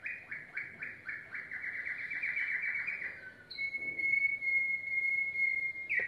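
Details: Yellow domestic canary song: a rapid run of repeated chirped notes trilled for about three seconds, then a long, steady, pure whistle held to the end.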